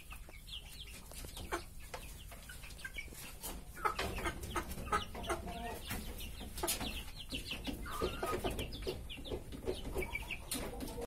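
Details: A one-month-old turkey chick calling: short high chirps and thin rising peeps scattered throughout, amid frequent sharp clicks and knocking noises.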